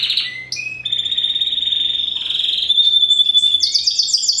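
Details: Home-bred 2015 hybrid of Spanish Timbrado and wild canary: a few rising notes lead into a long steady high whistle lasting over two seconds, ending in a fast bubbling trill.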